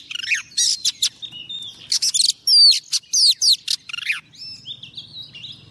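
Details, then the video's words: Female Oriental magpie-robin used as a lure bird, singing to call a male: loud varied phrases of rising whistles, sharp slurred notes and rapid chattering bursts in quick succession. "Choè than mái mồi hót gọi trống cực hay"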